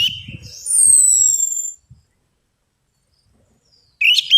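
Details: Orange-headed thrush song used as a lure to get reluctant thrushes singing: a loud burst of high whistled and slurred notes with a long descending whistle, then near silence, then a new high phrase starting at the end. Soft low thumps are heard early on.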